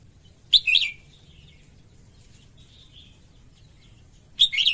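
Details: Female red-whiskered bulbul singing to excite males: a brief slurred, warbling phrase followed by nearly four seconds of soft, faint chirping, then another bright phrase at the end.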